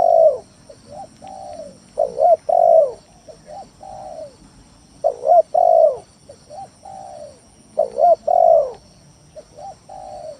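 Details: Spotted dove lure song used to provoke rivals into calling: low hooting coos in repeated phrases, a loud double note followed by softer falling coos, each phrase about three seconds apart.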